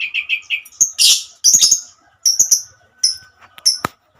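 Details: Female lovebird singing in the 'ngekek panjang' style, calling companions: varied shrill chirps, some lower and buzzy and others sharp and very high, grouped in short uneven clusters with brief pauses between them.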